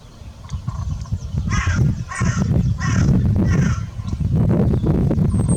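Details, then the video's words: Crow calling in a run of about five hoarse, raspy caws spaced under a second apart, over heavy low rumbling noise. "Crow call - Panggilan gagak / gagak suara / suara gagak hewan"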